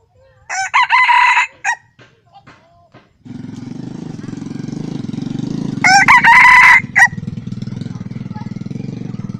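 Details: Wild red junglefowl crowing, recorded 28 June 2020: a loud, harsh, broken crow near the start and a second one about five seconds later, with a steady low engine drone running through the latter half.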